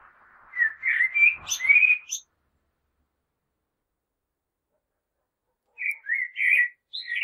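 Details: Common blackbird warbling fluted phrases over faint low background noise, then a pause and a second set of rich whistles ending on a higher note.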